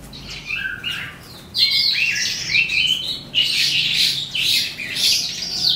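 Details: Evening singing of an eastern calandra lark: quieter scratchy notes at first, then loud, dense twittering and buzzy chatter in bursts of about two seconds.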